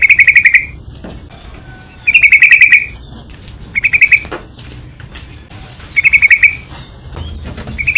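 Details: Yellow-vented bulbul lure song to provoke rival bulbuls: rapid bubbling note strings, some longer and richer, recurring every second or two with scattered soft clicks between.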